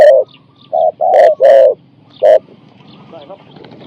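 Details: Spotted dove decoy luring wild doves in Thailand, singing a four-to-five-note coo. Five deep, hollow coos, the middle ones longer and run together, then quiet with faint background chatter.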